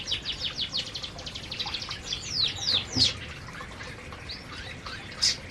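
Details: Canaries feeding as a group in an aviary give rapid high twittering; overlapping short falling chirps fill the first half, then scattered single notes and a sharp chip near the end.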